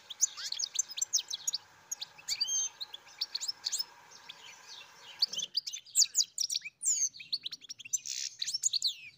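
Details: European goldfinch giving a rapid, liquid, twittering song of high chirps and trills over a low steady hum that stops partway through, after which the song continues crisp and clear.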